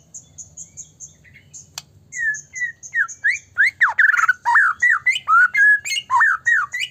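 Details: White-rumped shama in constant song, used to provoke other shamas to sing; soft high notes at first, then a fast loud series of repeated slurred whistles, roughly two per second, building in strength, over a low hum.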